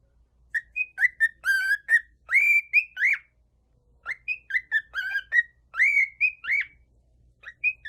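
A cockatiel gives bursts of clear, warbling whistles with rising and falling notes, pausing between phrases.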